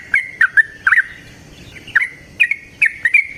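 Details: Yellow-vented bulbul (trucukan) in 'gacor ngalas ropel panjang' style, a natural recording used as a lure to make other bulbuls sing; sparse bubbly, slurred notes in short clusters separated by brief pauses.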